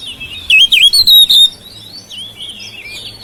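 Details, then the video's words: Domestic oriental magpie-robin song meant to wake silent birds into singing: a strong sequence of dipping, looped whistles, followed by fainter rambling whistled notes. "KICAUAN KACER RUMAHAN MEMANCING SUARA KACER YANG BISU MACET"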